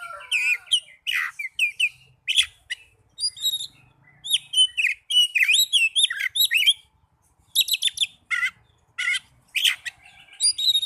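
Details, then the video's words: Oriental magpie-robin singing as therapy for young or silent birds: rapid, varied song of bright whistles, buzzy notes and quick trills in short bursts separated by brief gaps. "Terapi burung kacer muda dan kacer macet bunyii"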